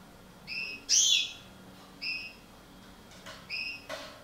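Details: European goldfinch of the parva subspecies from a breeding pair: a few short, clear whistled notes and one louder, sharp liquid chirp, spaced about half a second apart, over a steady low hum.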